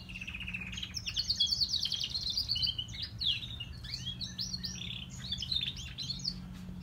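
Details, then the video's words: Canaries, grey and crested, singing a continuous high rolling trill that breaks into choppy chirps and warbles, with a soft electrical hum underneath. "Canarios cantando - Gris y copeton"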